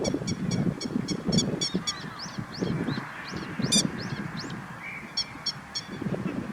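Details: In late April near Kyoto, Japan, a grey-headed lapwing guards its chicks. It gives a rapid series of sharp, metallic notes, then several rising-falling slurred notes. A single loud note follows, then a few more sharp notes, all over a steady low rumble.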